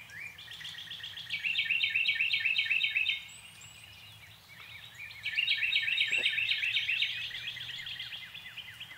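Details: Chestnut-tailed starling (Sturnia malabarica) in a backyard giving two bursts of fast, high, scratchy chattering notes, each about two to three seconds long, over a soft background hiss.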